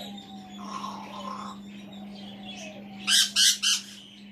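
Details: Male African grey parrot indoors, on a chair, talking to himself: faint mumbling and a thin whistle, then three loud harsh squawks in quick succession, over a steady low hum.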